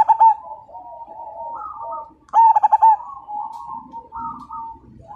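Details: Majapahit zebra dove (perkutut) singing actively, said to stir other birds to sing: a clipped coo phrase at the start, then one full loud run of quick pulsed notes, with other doves cooing softly around it.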